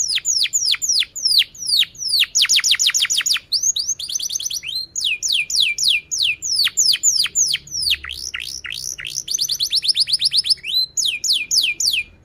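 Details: Long, lively canary song alternating tours of fast rapid trills with steeply falling whistled notes, repeated in quick bursts over twelve seconds.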